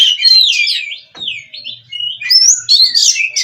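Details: A breeding-farm Oriental magpie-robin sings 'gacor' nonstop: looping warbled whistles, a brief lull, then high sweeping whistles and quick twittering phrases. A faint low knocking sounds in the background.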